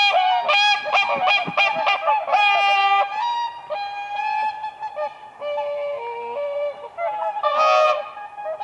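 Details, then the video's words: On a spring lake, whooper swans dance on ice while trumpeting; loud harmonic honks, some long and drawn out, others short, several birds calling together. "WHOOPER SWAN birds dancing on ice"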